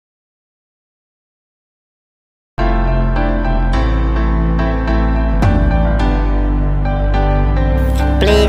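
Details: Silence for about two and a half seconds, then steady instrumental music with a deep bass layer and no animal voices.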